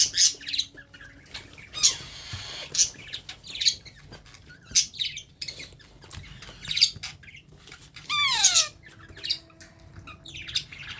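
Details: Baby parrot being hand-fed, giving sharp high squeaky calls in short bursts with some descending chirps, separated by quiet gaps; a faint steady hum runs underneath.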